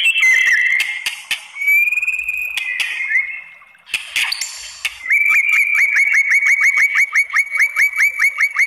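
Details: White-rumped shama song played to provoke other shamas into responding, opening with varied whistles, harsh bursts and high overtoned notes, then a fast repeated series of short downward-flicking whistled notes, about three per second.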